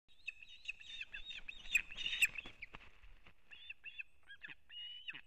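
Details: Osprey at a nest in Kurzeme, Latvia, on 3 September 2024, as an adult brings a whole fish to the chick; loud, dense series of high, harsh whistled chirps, overlapping and repeated rapidly, some notes sliding downward, with faint low rumble beneath.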